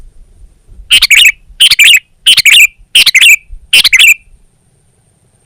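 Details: Sooty-headed bulbul singing five clustered bursts of sharp, sliding chirps roughly every seven-tenths of a second, then falling silent.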